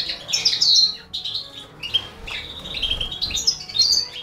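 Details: High, squeaky chirps from a Balkan goldfinch and the four baby canaries it is feeding, with a strong downward-slurred burst early on and scattered shorter notes after.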